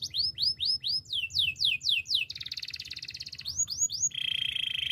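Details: Spanish timbrado canary singing, used for training: a series of rapid rising-falling whistled notes about eight per second, then a fast buzzy rolling trill, more swooping notes, and a steady metallic trill at the end.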